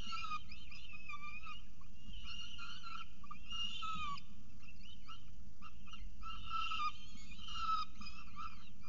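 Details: Peregrine falcon at the CSU Orange nest eating a pigeon breakfast, morning of 24 October 2018; repeated bursts of whining, slurred calls with bent notes, about one burst per second or two, over a constant low hum.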